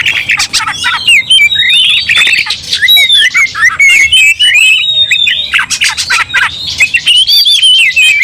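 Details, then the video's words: White-rumped shama provoked into aggression, singing a fighting song that sets another shama off too: dense, rapid stream of whistled slurs, harsh rasping notes and sharp clicks, loud and continuous with brief breaks. "dalam sekejap Kacer langsung TARUNG bongkar emosi bikin kacer lain ikut dongkrak amarah kesurupan"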